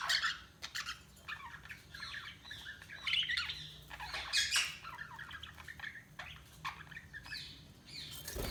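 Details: Budgerigars chirping and chattering: a busy mix of short warbled, rasping and squeaky notes, overlapping and irregular, rising and falling through the clip with brief louder bursts.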